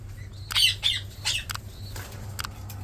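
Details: A captive golden (common) hill myna gives a quick run of three or four harsh, raspy squawks in about a second, then a few softer clicks, over a low steady hum.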